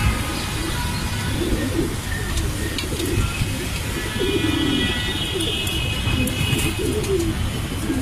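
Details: Afsan grizzle racing pigeons give low, throaty coos in short rolling phrases about every second or two, over a steady background hum and hiss.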